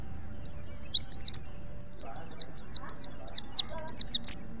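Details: Wild white-eye of the Pacitan type from the forest, singing high, rapid twittering notes in quick bursts of sweet chirps and short warbled phrases, with faint low background noise.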